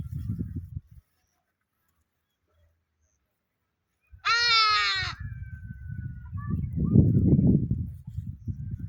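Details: Hadada Ibis uttering one brassy, nasal, overtone-rich call of nearly a second, followed by a thin steady whistle-like tone and low rumbling wind noise.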